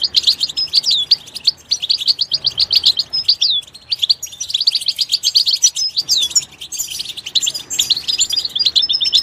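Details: Busy high-pitched twittering from a goldfinch, strings of rapid chirps mixed with a few slurred whistles and brief pauses between phrases.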